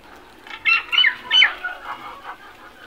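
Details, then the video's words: Crows foraging for food utter a short cluster of three rough, clipped calls in quick succession, then softer scattered calls trailing off. "Crows sounds | Best crows video searching for food"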